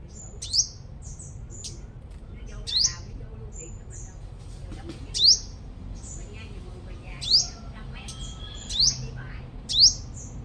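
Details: Sunbird lure bird from Long Thań, Đồng Nai, Vietnam, praised as a super singer. It gives loud, sharp, upward-sweeping high notes about every one to two seconds, each preceded by faint thin twitters.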